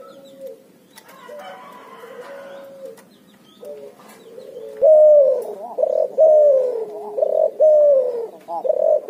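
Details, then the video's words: Cuhu dove, a puter and tekukur cross, singing ngoar nguku: soft, distant-sounding coos first, then loud, rapid, slightly falling coos repeated about every 0.7 seconds, with faint clicks. "suara burung cuhu gacor ngoar nguku hasil silang puterxtekukur"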